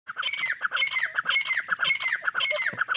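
Francolin chicks give harsh, rasping squawks, about two every second, each with a bright, high ring. Nothing else is heard.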